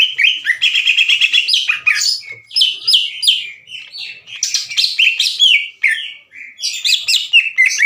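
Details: Greater green leafbird, caged, delivering harsh challenging song to provoke other leafbirds. The singing runs without a break: a tumbling stream of buzzy trills, down-slurred whistles and scratchy chatter.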